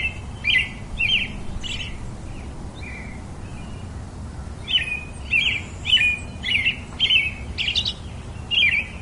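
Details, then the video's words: A robin sings quick bursts of squeaky, chirping notes, a few spaced phrases then a rapid run of six or seven similar warbles, each sliding down slightly, against quiet low noise. "Very versatile melody of the pretty Robin bird"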